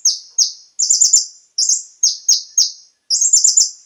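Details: Konin singing, used as a lure to set caged birds singing: short downslurred high notes alternating with quick chattering trill bursts, clean and loud.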